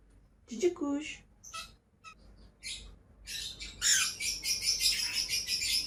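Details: Two pet lovebirds: a brief low voiced sound opens, then scattered sharp chirps build into a fast run of shrill, buzzy squawks in the second half.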